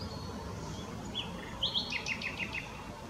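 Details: Willow warbler singing a mixed song at Whitlingham on 2 May 2017: a quick run of high sweet notes that step down in pitch, over steady outdoor background noise.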